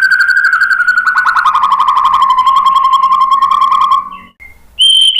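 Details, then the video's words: White-rumped shama song used to provoke other birds into singing: a long rich whistled phrase gliding slowly downward with a fast rattling tremolo, then a brief pause and a clear high whistled note. "Kicauan MURAI BATU bikin NYAUT ikut BUNYI GACOR BONGKAR MATERI ¦ PANCINGAN MURAI"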